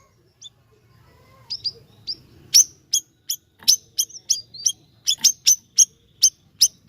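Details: Siri-siri bird singing actively: sharp, high chirped notes, sparse at first and then repeated in a quick, uneven series, with a faint low hum beneath.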